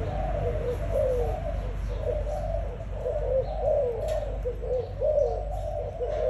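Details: Spotted dove song, a soft series of low, mellow cooing notes repeated over a steady, loud background rumble.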